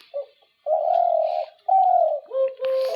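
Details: A caged dove of the 'double' calling type gives a brief opening note, then two long, level, hollow coos, followed by a run of shorter steady notes with a clear overtone. The setting is a quiet indoor room.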